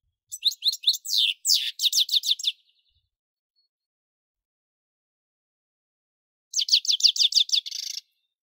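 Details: Sweet, rapid twittering from a European goldfinch: a long string of quick bright notes, a pause of several seconds, then another fast tinkling run.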